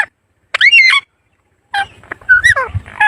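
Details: Short bursts of raspy, warbling parrot calls, separated by silences, with rising and falling harmonic notes.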